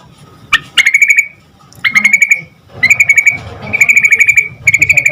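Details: Lively yellow-vented bulbul song meant to draw quick answers from other bulbuls: a sharp upward-sweeping note opens each of five rapid, evenly beaded chattering trills, separated by short pauses, faint low background noise.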